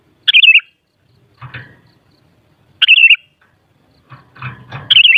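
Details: Sooty-headed bulbul singing a short bubbly, warbled phrase that wavers up and down, given twice about every two and a half seconds, with soft rustling thumps in between.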